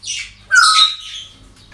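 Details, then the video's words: Parrot at a breeding centre giving a loud, grating squawk with a whistled edge, preceded by a shorter harsh note, against a quiet background with low hum. "Relajación Loros En El Centro De Cría"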